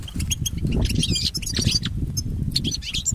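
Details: European goldfinch singing, recorded for training pet goldfinches: dense, fast twitters and quick slurred chirps packed into a short burst, with heavy low rumble underneath.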